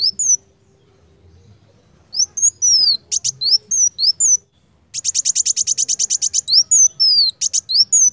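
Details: Van Hasselt's sunbird (kolibri wulung) in full, vigorous song used as a training recording. Sharp high ticks and sliding whistled notes give way to a fast, even burst of about fifteen shrill chips, then more slurred whistles.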